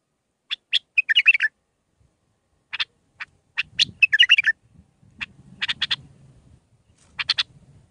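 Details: Bulbul song in the Mandalawi style with six phrases, played for training young birds: sharp clicking bursts alternating with short warbled, bubbly phrases, in irregular groups about every few seconds, with faint low rumbling below.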